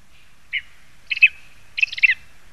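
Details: Lesser spotted eagle in a spruce in Zemgale, Latvia, recorded in August 2021. Loud, high chattering calls: a single yelp, then a rapid paired burst, then a longer tumbling cluster of squeaky, falling notes, on a quiet background.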